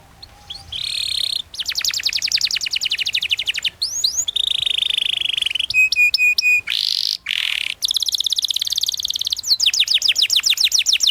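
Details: Long canary song meant for training young birds: varied tours of rapid buzzy trills, sweeping whistles and a bell-like repeated note, switching between phrases every second or two, ending in a fast rolling trill.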